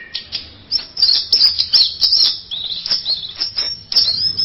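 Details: Masteran-style song of an orange-headed thrush: very high, thin, buzzy chirps repeated several times a second in short rhythmic bursts, over a faint low background hum.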